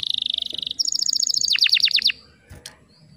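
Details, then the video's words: Female canary calling to stimulate males to sing: a fast, even high trill shifts into a series of about eight sharply descending, sweeping notes, then fades to quiet with faint background noise. "PANCINGAN KENARI BAHAN AGAR CEPAT GACORR"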